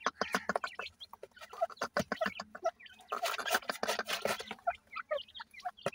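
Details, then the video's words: Black francolin chicks being fed, giving rapid, clustered short chirping calls, dense and overlapping, with a burst of louder noisy sound midway and a low steady hum underneath. "jewan teetar k bachay, new teetar new chicks feeding"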